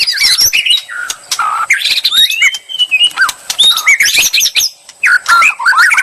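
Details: White-rumped shama song used as bait to provoke a reply: dense, varied whistles, rising and falling slurs and rapid chattering phrases packed tightly together, with clicks and buzzy notes between them.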